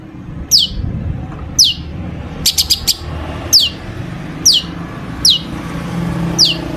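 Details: Long-tailed shrike singing, packed with imitated phrases, meant to get other shrikes singing: high descending whistled slurs repeated about every second, with a quick cluster of ticking notes in the middle, over low background rumble.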